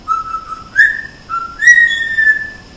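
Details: Pet African grey parrot indoors, one of two kept birds, giving clear whistled notes: a steady tone, a brief upward flick, then a long higher whistle that slides gently downward, with a person talking to the bird between phrases.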